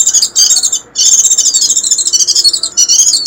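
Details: Warbling white-eye sound meant to draw in wild birds: a continuous stream of high, thin, rapid chattering notes with a brief gap near the first second, clean and free of other noise.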